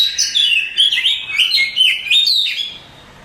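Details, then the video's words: A loud, clear burst of whistled song from a champion Oriental magpie-robin: fluid notes slide up and down in quick succession, ending in a falling phrase as the clip fades. "Suara Kicauan Burung Kacer Juara Kontes"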